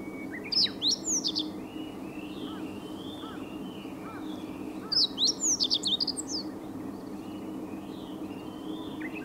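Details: Japanese bush warbler that has just begun singing for the season, giving two bursts of sharp, high rising and falling notes a few seconds apart over steady background noise, with fainter whistles from other birds.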